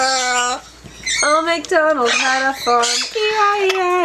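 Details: Pet yellow-naped amazon singing and talking indoors: long, steady, harmonic voice-like notes held about half a second each, with pitch steps between phrases and short gaps, in a small room.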